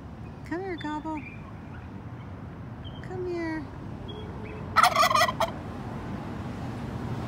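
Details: A wild turkey on Emerald Street in Boise, near a road where cars slow to watch, gives one short rattling gobble of rapid pulses midway. Soft human voices come before it, over a constant traffic hum.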